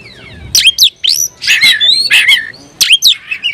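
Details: Oriental magpie-robin, a kept songbird, singing in a fierce mood as if seeking a rival: loud bright whistles, sharp rising and falling sweeps and harsh chattering notes in quick bursts, faint low rumble beneath.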